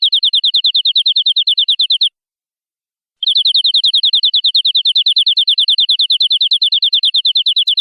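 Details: Long, rapid canary trill of bright high notes repeated steadily, broken by one short pause before the same fast rolling phrase resumes and continues.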